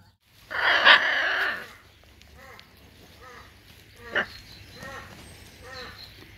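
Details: Two hyacinth macaws playing: one loud, harsh screech lasting about a second, then four or five softer, arched squawks spaced roughly a second apart.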